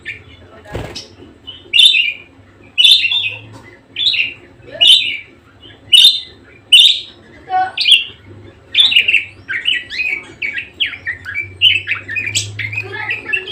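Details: Persistently singing budgerigar: a loud sharp click, then bright chirps spaced about a second apart, breaking into a quicker tumbling warble of varied high notes, over a soft low hum.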